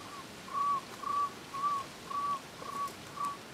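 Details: A Cuban trogon (Priotelus t. temnurus), endemic to Cuba, sings seven soft hooting notes on one mid pitch, about two per second, in Alejandro de Humboldt National Park, Cuba, on 24 February 2017.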